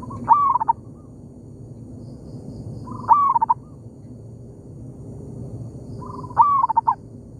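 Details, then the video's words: Local zebra dove calling back and forth with a decoy in an oil palm plantation: three clear phrases roughly three seconds apart, a swooping note breaking into a fast run of short, bubbling coos. "merdunya suara perkutut lokal di kebun sawit,bersahutan dengan pikat"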